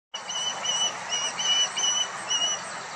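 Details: Osprey chicks in their nest calling to each other: a series of thin, high, whistled notes repeated roughly every half second, each slightly drawn out, over a steady hiss of wind or background noise.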